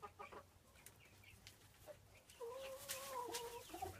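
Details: Pair of frizzled Pekin bantams in porcelain colouring, about five and a half months old. Short scattered clucks, then a drawn-out, steady, nasal call held for over a second, with clicking and handling noise around it.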